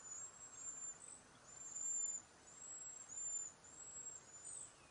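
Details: Backyard cedar waxwing flock passing berries and insects: a string of five or six thin, high, sibilant whistles, some slightly trilled, following one another at irregular intervals of roughly a second.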